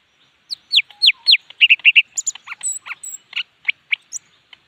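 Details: Leafbird singing energetically: a fast string of loud, downward-sliding whistles gives way to shorter chirps and twittering notes, delivered nearly without pause.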